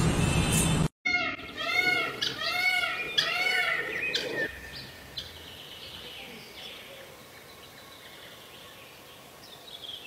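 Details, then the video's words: Indian peafowl, a peacock, calling: a series of four or five loud, nasal, arched notes with rich harmonics in quick succession, followed by quieter open-air background noise. "peacock beautiful singing"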